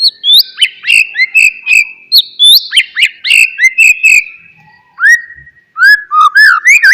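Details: Song of an oriental magpie-robin (murai batu), meant to trigger a silent bird to respond: a series of bright down-slurred whistles repeated at steady intervals, followed by a pause and then lower rising and falling phrases.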